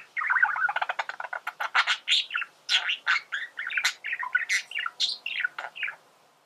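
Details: Singing male budgerigar pours out a rapid stream of sharp clicks, squeaky chirps and buzzy warbles, notes packed several per second with no pauses across the clip.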